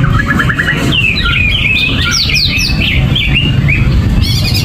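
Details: Greater green leafbird without banana or cage cover opens with a short rattling trill, then a rush of high whistled swoops and chirps, ending in buzzy notes, over low hum.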